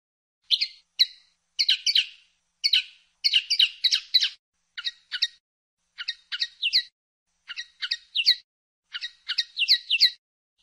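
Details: Common linnet song: high, twittering phrases of quick chirps and short rattles, delivered in bursts separated by brief pauses, in a clean recording.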